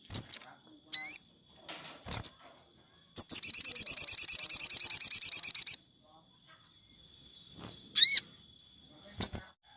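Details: Afternoon song of a sogon, played for training captive birds: scattered high chirps and upslurred whistles around a fast, even, buzzy trill of about twenty high notes lasting over two seconds.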